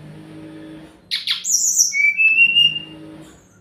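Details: Sumatran laughingthrush song used to provoke other birds into answering: two harsh, squawking bursts, then a high buzzy note and a long, level, piping whistle, with a quieter murmur before and after.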